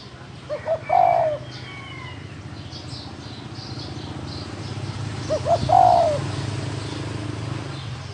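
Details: Spotted dove of the field-dwelling kind, cooing: two phrases about five seconds apart, each a pair of soft short notes leading into a louder, drawn-out coo that slides downward, over a low steady hum.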